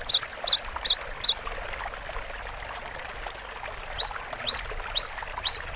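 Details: Cinereous tit song in two parts. It opens with a quick burst of four high, ringing two-note phrases. After a pause comes a softer series of thin downslurred whistles, repeated about once per second, over a faint watery background.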